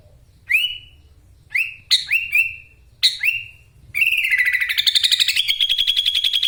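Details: Caged sooty-headed bulbul from Wonosalam, East Java, singing 'gacor' with full 'ngekek' filler: four short whistled notes swooping up and levelling off, then a fast buzzy chattering run that climbs and holds.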